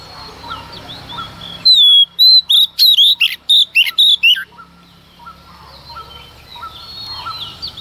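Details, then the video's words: Female Oriental magpie-robin in early-morning song meant to provoke males: a two-second run of loud, rapid whistled notes and buzzy twists, framed by quieter distant chirps and soft background hiss. "Choè than mái hót kích trống hót căng sáng sớm"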